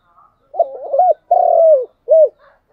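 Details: Morning decoy call of a spotted dove luring wild birds: a clear three-part coo with a hiccuping double-note opening, a sustained slightly falling middle coo and a short rounded finish.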